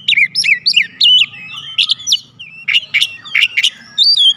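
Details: Oriental magpie-robin lure song meant to draw a response from other birds; loud, varied phrases of sharp whistles, slurred notes and rapid scratchy bursts, with a low steady hum underneath.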